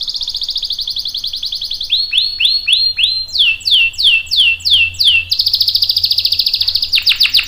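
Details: Lively canary song with long rolls, used to prompt other birds to join in: a steady high trill, slow swooping notes in groups of four, then a long dense buzzing roll.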